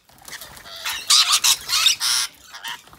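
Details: Rainbow and Scaly-breasted Lorikeets at afternoon tea: harsh, broadband screeches in a run of loud bursts of about a quarter second each, with softer chattering at the start and end.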